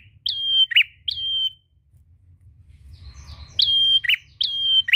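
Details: Prinia calling a rival: loud paired notes, a flat high whistle followed by a lower buzzy downward chirp, given in two bursts with a quiet gap between them; low background hum throughout.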